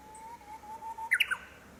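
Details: Around homes in Minamiboso, Chiba Prefecture, Japan, April 2018, a Japanese bush warbler repeatedly flies to the same branch to sing: a drawn-out, slightly wavering whistled note followed by a brisk, higher three-part flourish.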